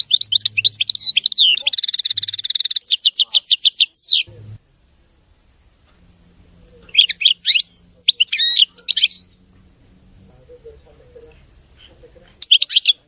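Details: European goldfinch song, described as clean and error-free. It opens with fast, high twitters and a dense buzzy trill, then a silent gap, and later returns with clusters of sharp, sliding chirps.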